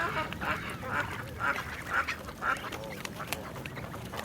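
A duck quacks in a steady series, about two nasal quacks a second, over a low background rumble.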